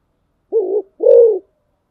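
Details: One phrase from a spotted dove kept as a decoy: a soft short coo followed by a longer, louder, gently falling coo.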